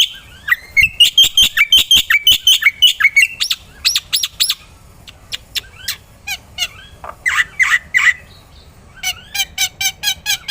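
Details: Black-winged myna chattering energetically for songbird training, mixing rapid sharp clicks, buzzy squawked notes and grating phrases in uneven bursts across ten seconds.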